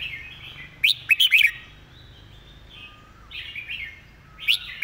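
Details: Red-whiskered bulbul singing a clean teaching song: a tight cluster of sharp rising chirps, then a pause with softer warbling before another bright phrase begins.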